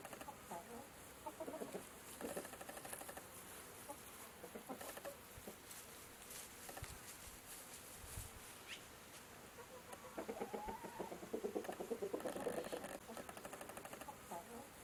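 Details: Chickens (Gallus gallus domesticus) walking and clucking in low, throaty bursts that come in irregular clusters, with some rustling and scratching in the background.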